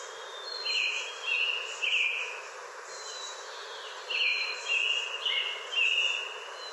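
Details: American Robin near Boise, Idaho, caroling in short, clear whistled phrases that rise and fall pretty fast, given in two bursts of three or four, over a steady background hiss.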